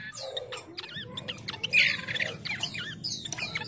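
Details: Chestnut-capped babbler calls used as a lure for rivals: dense wavy whistles and harsh squawking notes in quick succession from several birds, with a steady low hum throughout.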